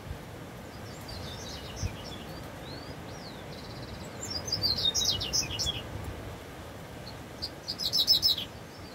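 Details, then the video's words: Double-collared seedeater in the bush: scattered faint high notes, then a phrase of sharp rapid chirps mid-clip and a louder, dense burst of high notes near the end, over steady outdoor noise. "Coleiro fibra no mato (Corbatita"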